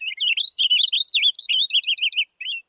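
Purple Finch song: a fast, smoothly rolling run of high warbled phrases lasting nearly three seconds, with no harsh buzzy note.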